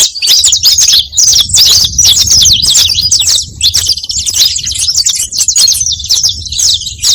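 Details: Saffron finch song used to call in other saffron finches: quick, high chirps delivered roughly 140 times a minute in an irregular, dense chatter, with only brief gaps.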